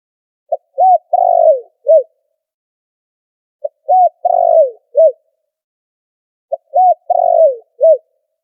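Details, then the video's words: Spotted dove lure call used for trapping, with background noise filtered out: three bouts of cooing, each a short note, a hooked coo, a long falling slurred coo and a final hooked coo, repeated about every three seconds. "Tiếng chim cu gáy chuẩn kích mồi đã lọc tạp âm"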